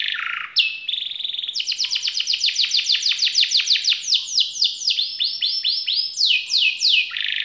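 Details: Canary in full, unbroken song of rolls and bursts, offered as a model for young birds learning to sing. It opens with a low buzzy note, then runs through rapid trills of sweeping notes that gradually slow and change pitch.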